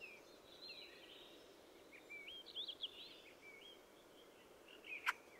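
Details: Fieldfare giving a quiet, squeaky warbled song of thin rising and falling notes, ending in one sharp, harsh chack, over steady background hiss.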